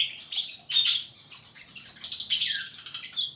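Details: Superb starling giving a brief, lively burst of high squeaky chatter and buzzy warbled notes, nearly continuous, ending with a short whistled slur.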